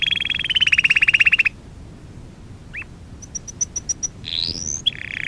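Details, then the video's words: Singing canary used for song training: opens with a fast rolling trill of evenly repeated notes, then a pause, a single swept note, a row of short high ticks and a rising buzzy phrase. "Kanarya sesi kanarya eğitim/1 canary sing"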